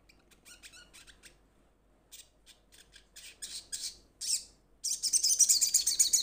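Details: Young crimson sunbird in moult calling to companions: bursts of thin, very high chattering notes that grow louder, ending in a fast, shrill, continuous trill.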